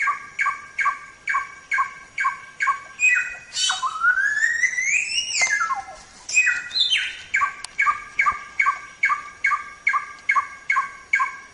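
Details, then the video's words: Samyong singing continuously on a songbird training recording: rapid harsh repeated notes about two per second, broken by a long twisting whistled sweep that climbs and then drops steeply, before the steady repeated notes resume. "Suara Burung Samyong | Gacor"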